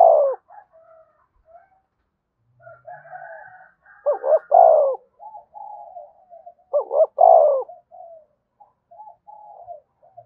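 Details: Spotted dove coos to encourage other doves to coo: a coo at the start, then two powerful stuttered coo phrases about three seconds apart, with soft low notes and a faint higher murmur between.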